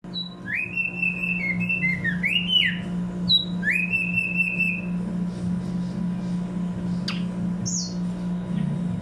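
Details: Tumba yegua song: clear whistled phrases, each sliding up then holding a high even tone, with sharp upward flicks, repeated about every three seconds over a steady low hum.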